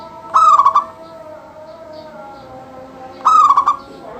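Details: Local zebra dove singing actively, a song meant to make other doves sing. Two identical phrases about three seconds apart, each a drawn-out note then fast bubbling pulses, with faint tonal background sounds.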